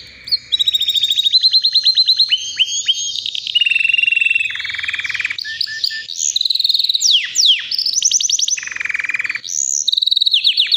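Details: Powerful nonstop singing from a white canary aged about three: rapid trills at varied pitches, sharp up- and down-swept whistles and chattering runs following one another without break.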